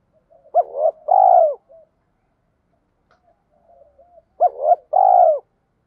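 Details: Spotted dove in Vietnamese 'thúc' style, a call to rouse wild doves. Two phrases about four seconds apart, each a sharp double hoot then a long, purring coo, with quiet soft notes in between.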